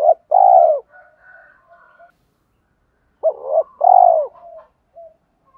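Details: Spotted dove cooing, male and female birds, meant to rouse and train kept doves. Two deep phrases each open with a quick clipped note and end in a drawn-out falling coo, with faint soft notes trailing afterward.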